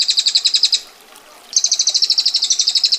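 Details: Female bar-winged prinia 'ngetir' song: a quick high trill breaks off, then resumes after half a second as a slightly higher, tightly spaced rattling roll.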